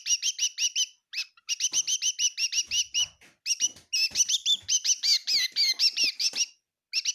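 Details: Kitchen bird at Tseminyu, Kohima, chirping in fast, steady strings of bright, high notes, a few louder twisting notes near the end, and faint knocks in the background.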